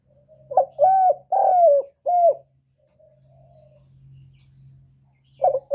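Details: Spotted dove coo meant to stimulate newly kept birds: a four-note hollow phrase, a soft low murmur, then the next phrase beginning, with a steady low hum underneath.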